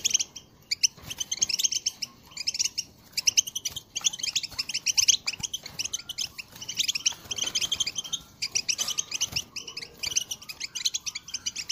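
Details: European goldfinch, recorded in 2022, delivering a calling song to stir other birds into singing: long runs of rapid, high twittering broken by short gaps, busy and jangling.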